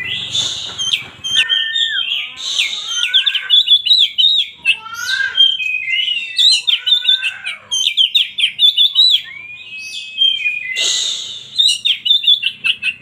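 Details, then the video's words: Oriental magpie-robin, a songbird kept by bird-song hobbyists, singing a loud, continuous, varied song of high, clear whistles, slurred rising and falling notes and rapid chattering trills, with short harsh scratchy bursts near the start, middle and end. "KACER 100% JOSS SUARANYA"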